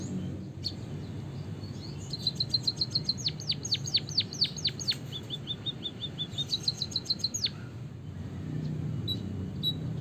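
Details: White-headed munia from Java singing a long canary-style rolling song as a tutor for other birds: a rapid trill of high notes becomes steep down-sweeps, then a second fast burst. A low hum runs underneath.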